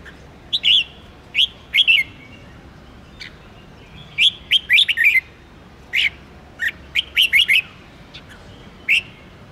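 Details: Red-whiskered bulbul singing 'ché' style for stimulating bulbuls before song contests; short, lively, whistled notes in irregular clusters, some quick three- and four-note runs.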